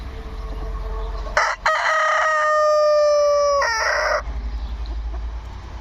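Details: Rooster called a talking rooster gives one long, loud crow: a brief harsh start, then a sustained level tone held for about two seconds before a rough falling end, over a low steady hum.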